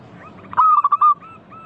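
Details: Local zebra dove in full song, played to draw other doves into singing: a single loud, quick burst of stuttering, pulsed coos lasting about half a second, with faint cooing from other doves before and after.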